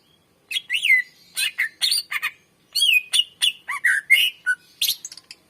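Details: Greater green leafbird in long, lively song for luring and training other birds: a dense varied medley of chirps, rising and falling whistles and rough squawky notes with almost no pause.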